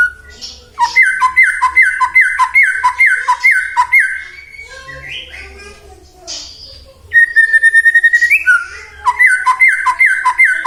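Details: White-rumped shama song for provoking other shamas to sing: fast series of about ten repeated down-slurred whistles, a pause with softer notes, then a long sliding whistle and another rapid repeated series.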